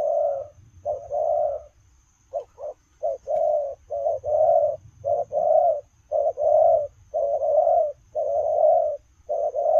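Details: Spotted dove giving its coo as it runs, a steady series of short and drawn-out low hooting notes, clustered in pairs, about one each second, over a soft low background hum and a thin high hiss.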